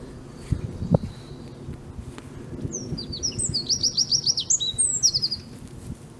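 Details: Eurasian wren singing on 5 March 2015 at De Kleuter, Uden: after a quiet start, a loud burst of very high, rapid trilled and sharply repeated notes lasting about two and a half seconds, with faint low background noise.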